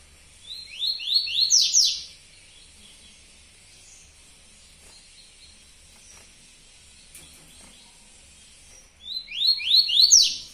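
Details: Yellow-bellied seedeater singing the tui tuí song style: a fast run of rising, whistled upslurred notes, repeated after a long quiet pause with a low hum beneath.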